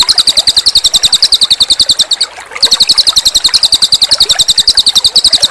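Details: Cililin bird delivering energetic, piercing high chirps in quick succession, breaking off for a moment in the middle, while a gentle rhythmic water trickle pulses throughout this master recording.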